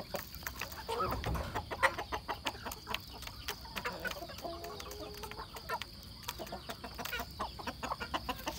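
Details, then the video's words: Chickens and a rooster: short, low, repeated clucks among sharp clicks and knocks, over a steady high hiss from insects. "Beautiful rooster and chicken sounds"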